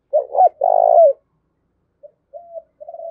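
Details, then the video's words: Decoy spotted dove cooing to urge a fight, one full phrase of two short notes and a long rolling coo, followed by softer fainter coos from a second, more distant dove. "Tiếng chim cu mồi thúc đấu"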